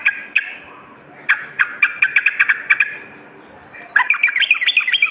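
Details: Sooty-headed bulbul song used as a lure and master track, morning and night: sharp separate chirps, then a pause, then a fast rising-falling chattering run of bright notes.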